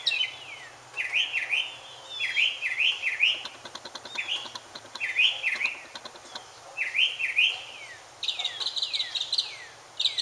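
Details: Mockingbird singing while looking for a mate, giving shrill zigzag notes in quick doubled and tripled runs. Short pauses break up the phrases, with a faint buzzy rattle in the background.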